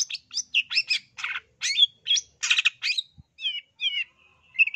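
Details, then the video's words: Energetic long-tailed shrike song from East Java, played to make other birds sing: fast varied warbling of harsh rasps and twisting whistles, ending in short repeated slurred whistles. "PENAKHLUK MALAS BUNYI CENDET JATIM GACOR. suaranya dijamin terAmpuh Bikin Ikutan BUNYI, AWAS NYAUT!!"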